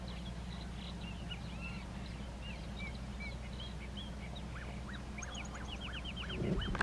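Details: Monk parakeets in the Pantanal give a busy mix of short chattering and squawking notes, with a run of quick rising calls near the end, over a steady low hum.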